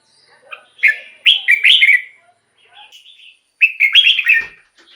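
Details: Red-whiskered bulbul song used as a decoy or to excite caged bulbuls: bright, bubbling whistled phrases of rapid up-and-down notes in two loud bursts, with quieter short notes between.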